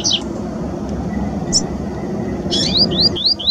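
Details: Double-collared seedeater singing in the wild: scattered high notes, then a quick series of four or five rising whistled slurs, over a steady low rumble of traffic.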